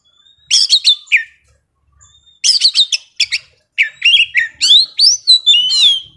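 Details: Oriental magpie-robin, a young wild bird, singing hard: short bursts of harsh chirps separated by silent gaps, then a flowing run of rising and falling whistled notes.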